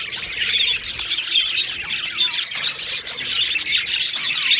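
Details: Budgie colony in an aviary giving busy overlapping chirps, whistled squeaks and raspy chatter, a continuous high flock noise with short downward-sliding notes.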